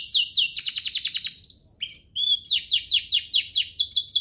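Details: Canary singing a master song to train young canaries and encourage singing. Rapid descending chirps repeated in a quick series, a brief whistled pause, then a rhythmic run of similar chips about four per second.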